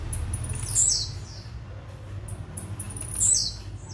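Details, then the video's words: Metralha-style song of a blue-black grassquit: two quick, high, down-slurred buzzy bursts about two and a half seconds apart, with thin chips in between and a low background rumble. "TIZIU METRALHA"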